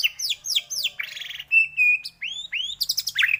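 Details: White-rumped shama phrase for provoking other shamas to sing: a few descending chirps, a buzzy rattle, a level whistle, then two rising slurred whistles and a quick jumbled flourish.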